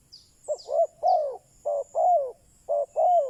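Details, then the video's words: Spotted dove used as a decoy to draw wild doves, uttering brisk low coos in short phrases of clipped notes and longer downward-bending coos, with a few high chirps from small birds. "Chim cu mồi chuẩn thúc bổi, kích bổi nhanh nổi/ Burung Terkukur"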